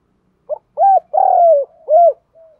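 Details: Spotted dove kích bổi cooing for training decoys: one clear phrase of a short note, an arched coo, a long slowly falling coo and a closing arched coo, with a faint soft coo after.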